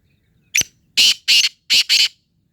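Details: Black francolin calling: a sharp click followed by four loud, harsh, grating notes in two quick pairs, high-pitched and rasping, against a quiet background.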